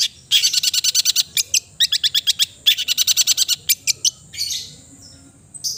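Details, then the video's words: Long-tailed shrike giving rapid trains of sharp, clicking staccato notes in quick series of about ten, broken by short pauses, ending with a softer hissing note; a steady high whine continues throughout. "the melodious sound of the cendet bird"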